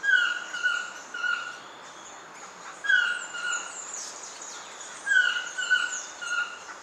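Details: Black-mandibled toucan singing in Pierella Ecological Garden during January to March visits: repeated loud, hoarse, yelping phrases of three descending notes, spaced about two and a half seconds apart, with continuous high insect buzz behind.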